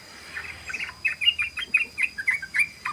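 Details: Sooty-headed bulbul, ropel song used as a lure: a regular run of short, clear, downslurred chirps about four per second, over a soft hiss.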